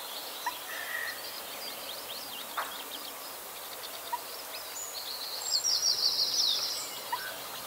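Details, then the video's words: Common Redshank calls while flying by its nest on a loch island near Kirriemuir, Scotland: high, thin whistled notes, then a rapid piping trill near the end, over a steady hiss of wind. "Redshank (Tringa totanus) - calling"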